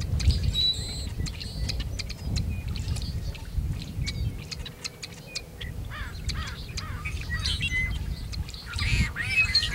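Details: Tricolored blackbird male, recorded near Kern National Wildlife Refuge in California on 26 February 2003, giving scratchy clipped calls and a few buzzy song phrases against a constant low background roar.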